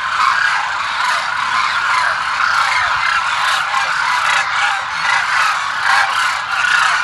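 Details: A large flock of demoiselle cranes (Grus virgo) at Kheechan, Jodhpur, Rajasthan, calls at once, a dense, unbroken din of harsh, croaking, trumpet-like notes rising and falling in waves.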